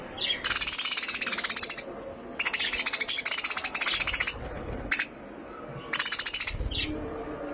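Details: Finch song made of long, rapid strings of high buzzy chirps, with several bursts separated by short pauses. Background noise is light.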